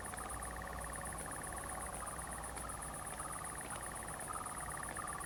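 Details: Common nightjar singing at night on 7 July 2020 in a pine wood at Zamudio, Txorierri, Biscay, among fireflies: a steady, fast-pulsed churr in two bands runs throughout, over a constant high-pitched insect trill.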